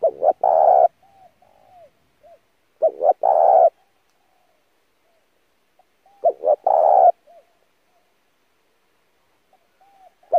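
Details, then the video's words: Spotted dove used as a lure bird to train newly caught doves. Low, mellow coo phrases: a couple of short clipped notes, then a longer, fuller coo with a faint trailing note. The phrases repeat roughly every three seconds over a quiet background. "kích mồi tập bổi chim cu gáy cực chuẩn / thúc gù căng lửa"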